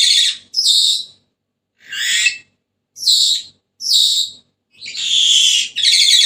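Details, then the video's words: Senegal parrot squawking repeatedly: shrill, harsh bursts roughly every second, shorter rasping notes in the middle and a longer buzzy screech to finish, with no other sounds. "تغريد ببغاء السنيغالي the sound of the parrot senegal"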